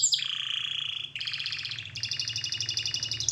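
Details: Canary song for training: a high descending whistle, a low buzzy trill, then rapid rolling trills stepping up in pitch, with a soft low hum in the background.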